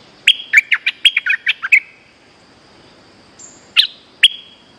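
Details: Bulbul luring call for coaxing back a bird that escaped its cage: a fast run of about eight bright chirped notes, a thin high whistle, then two isolated sharp chirps.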